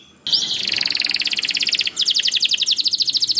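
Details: Canary singing in gacor style, meant to coax other canaries into song: a dense rapid trill running on without pause, breaking briefly into a faster pulsed roll of high repeated notes.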